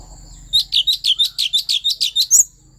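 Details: Asian fairy-bluebird from the wild forests of Vietnam's Central Highlands, song used to fire up other birds: about a dozen crisp, bright chirps repeated roughly every fifth of a second, ending in a higher upslurred note.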